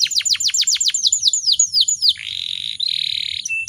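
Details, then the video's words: Female canary in breeding mood, song intended to make other canaries sing: quick series of descending swept notes about four per second, then a sustained buzzy high roll. "PANCINGAN KENARI BAHAN AGAR CEPAT GACORR"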